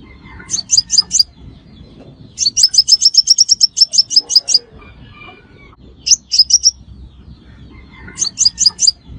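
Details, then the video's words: Sunbird calling as a lure for trapping, giving brief clusters of three or four sharp high chirps and one long rapid run of over a dozen, against low background murmur. "Tiếng Hút Mật Xác Pháo Mồi Chuẩn Nhất 2025 - Bẫy Là Dính - The Sound Of Birds Sucking Nectar"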